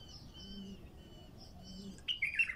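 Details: Bulbul singing in a raw recording meant to set wild bulbuls singing. After quiet with thin whistles and soft low cooing in the distance, a brief bright warbled phrase bursts out at the end.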